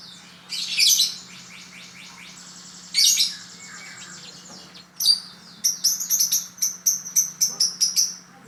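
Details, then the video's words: Lovebird giving shrill, high chirps in two short bursts near the first and third seconds, then a quick run of sharp, evenly repeated chirps from the fifth second to the end, over a faint steady low hum. "Love bird"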